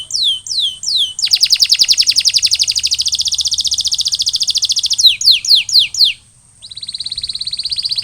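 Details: Canary recovering after molting sings falling swept notes, then a long steady rolling trill for nearly four seconds, more downward sweeps, a pause, and another fast trill.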